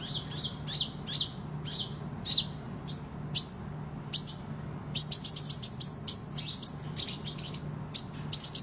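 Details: Kolibri ninja, or Van Hasselt's sunbird, singing in lively fighting form for use as a tutor recording: thin, piercing high notes, first spaced, then quick runs of rapid ticking chirps, with a faint low hum beneath.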